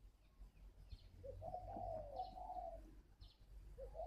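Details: Spotted dove, a wild-caught bird with strong decoy qualities, from a bird garden in Ba Vì, Hanoi, Vietnam: a low, mellow coo phrase rising then drawn out, a short note opening and another closing, faint background ticks.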